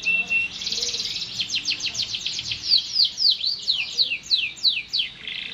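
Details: Canary singing without pause: a soft buzzy opening leads into a clear series of high notes sweeping downward, repeated several times per second, with faint low chirps behind.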